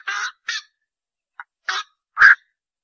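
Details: Sparse black-crowned night heron squawks: two coarse calls, a tiny faint note, another rasp, then one loud, harsh, clipped squawk.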